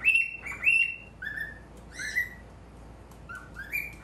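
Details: Calls of a male cockatiel at a mirror: loud whistled chirps at first, then softer lower sliding notes and a few scattered chirps after a pause.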